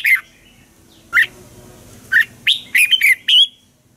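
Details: Caged Red-whiskered bulbul from Thailand giving a training song: short bright whistled notes, some rising and falling, in scattered bursts with gaps of about a second, ending in a quick cluster of three or four notes.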